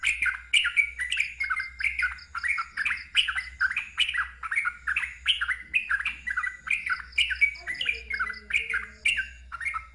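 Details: A sooty-headed bulbul sings loud ngeropel song, rapid repeated chattering phrases with sharp upward and downward slurs, a brief lower tonal sound near the end, and constant low hum.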